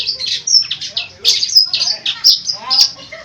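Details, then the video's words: Long-tailed shrike, a kept bird with a lively mimicking song: a rapid jumble of high chattering, whistled and scratchy phrases with quick changes of note and short pauses, and faint background noise. "burung cendet gacor full isian unik"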